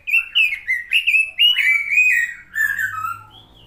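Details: Robin delivering a continuous rush of fast whistled and slurred notes, run together and gradually falling in pitch toward the end.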